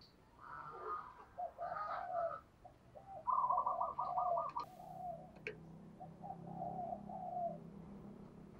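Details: Spotted dove lure bird calling amid background hiss, with muffled coos, a quick rattling run of even pulses, then softer drawn-out cooing and a brief click.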